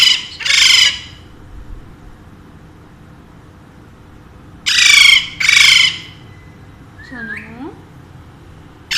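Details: Two domestic Alexandrine parakeets, said to speak Urdu and Hindi, screech in two loud paired bursts separated by quiet, followed by a short curving, voice-like sound, while their owner talks to them.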